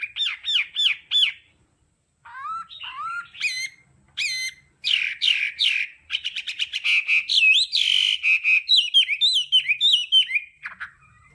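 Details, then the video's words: Hwamei singing in the varied 'đảo âm' style used for voice training: rapid repeated whistled phrases, then a short pause, then bursts of sliding, rising and falling notes and fast trills, loud and continuous. "Âm thanh luyện giọng họa mi hót đảo âm hay nhất"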